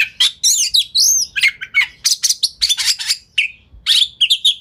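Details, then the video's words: A white-rumped shama sings a rapid lure song for drawing responses from other shamas, mixing looping whistles, rasping chatters and quick trilled notes, with a short pause partway through. "Pancingan Kacer Gacor Speed Rapat Buka Ekor! Buat Kacer Lain Auto Nyaut"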